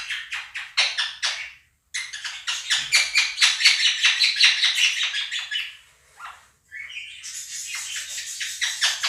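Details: Loud screaming by two pet Quaker parrots over budgie flock recordings. Bursts of harsh, evenly paced squawks are broken by brief silences, and higher chatter follows near the end.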